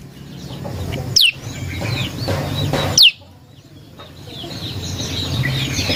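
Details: Prinia (prenjak lumut) lure song: two loud, sharp whistles sweeping steeply downward from very high pitch, about two seconds apart, over a steady rumbling, noisy background with faint chirps.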